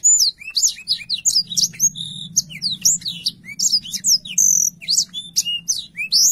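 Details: Unbroken, varied song of a Black-throated canary, recorded singing actively and clearly for training canaries: quick high chirps, downslurred whistles and twittering notes that run through the whole stretch.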